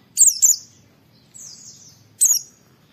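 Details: Oriental white-eye in challenging song used to make other white-eyes sing along: two loud high squeaky chirps, a faint thin descending trill, then another sharp high twitter.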